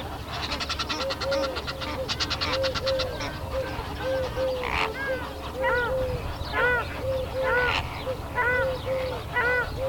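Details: Greater flamingos, 19 February 2017: loud nasal goose-like honks, some rising and some falling, repeated roughly once a second over a busy flock murmur, with a brief rapid rattling chatter near the start.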